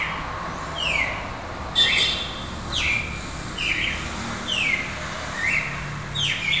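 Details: Red-crested cardinal, a young bird still in mottled juvenile plumage, very active and highly repetitive, its song being trained: clear slurred whistled phrases sweeping down then up, repeated about once a second with short pauses, over quiet background hiss.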